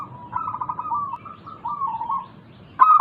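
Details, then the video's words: Perkutut lokal, a local zebra dove, heard as a lure to make lazy doves start singing. A soft rolling coo of quick pulses sinks slightly in pitch over two seconds, then a louder note begins at the end. "Pancingan Burung Perkutut Lokal ampuh untuk mengatasi malas bunyi"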